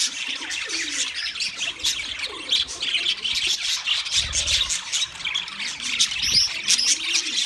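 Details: Flock of wild budgerigars keeps up a constant high, scratchy chatter of quick chirps and warbles, with a couple of faint low coos beneath.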